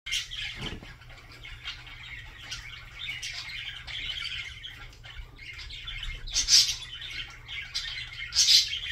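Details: Budgerigar singing a soft, continuous chattering warble of scratchy trills and chirps, with sharper clicks and squeaks breaking through near the end over a low steady hum.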